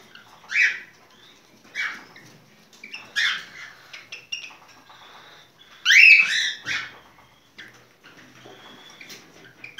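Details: Mating song of a cockatiel: scattered raspy chirps and a loud, rising whistled screech near the middle, with faint soft chatter between louder notes.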